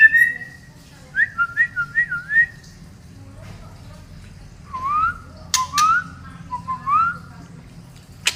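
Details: A female white-rumped shama from Medan, Indonesia, gives a series of rich, looping whistles repeated about every half second, then after a pause lower sliding whistles broken by sharp clicks.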